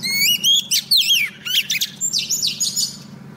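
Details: Female Oriental magpie-robin decoy bird singing to call a male, used for trapping: a continuous run of loud, varied whistles, rising slides and quick downward-curving notes, then softer clipped chirps, over a steady low hum.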